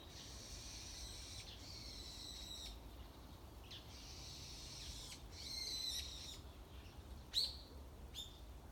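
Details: Unseen wild bird singing on a morning outdoors: thin, high, sustained whistled phrases with a buzzy, harmonic-rich quality, separated by pauses, plus a sharp short note toward the end over quiet background hiss.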